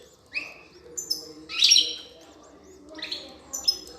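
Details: Female European goldfinch feeding her chicks, recorded 5 June 2020: scattered high, thin chirps and twittering notes with a louder burst of excited chatter midway, over faint low background noise.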